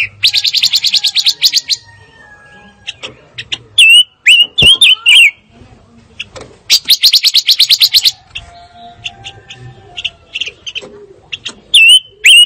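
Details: Fire-tailed myzornis song: long bursts of rapid, dry trilled notes alternate with scattered high chips and short down-slurred whistles, repeated across the recording.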